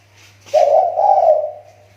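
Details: A spotted dove kept as a lure bird in Riau Islands, Indonesia, gives one loud throaty coo lasting about a second, a low hollow note that fades out slowly, with a faint steady electrical hum beneath it.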